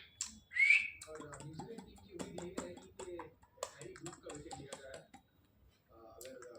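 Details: Indian ringneck (Alexandrine-type) parakeet, a talking pet trained daily to say "Papa Papa" and "Mithu Mithu", gives a sharp whistled squawk, then chatters in rapid speech-like bursts as if repeating a word, with soft room noise between.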